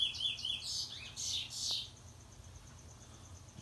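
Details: Trinidad bullfinch in April 2021, a teacher bird singing in the 'Luther Vandross' wheet drawl style: a quick run of high, clear descending whistled slurs over about two seconds, then quiet with faint steady background hum.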